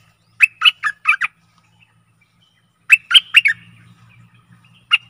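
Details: Stripe-throated bulbul song used as a decoy to lure aggressive wild birds: two bursts of bubbly, warbled phrases, each of four quick liquid notes, separated by a pause of about two seconds, with a faint low hum.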